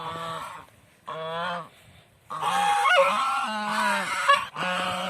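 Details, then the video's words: Several village swans call in a noisy chorus of long, brassy, nasal honks, some rising slightly, running together for several seconds. "Village swan video"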